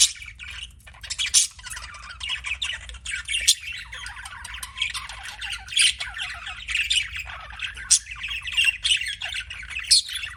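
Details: Continuous warbling chatter from pet budgerigars, mixing harsh squawks, rapid clicks and thin whistled notes in an unbroken, restless flow with sharp louder accents.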